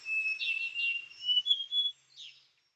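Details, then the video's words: Female Large Niltava at Doi Inthanon, Chiang Mai, Thailand: a few short, bright downslurred chirps and brief high notes over about two seconds, ending in one sharper falling note, above a steady thin high-pitched background tone. "นิลตวาใหญ่ (ตัวเมีย) Large Niltava"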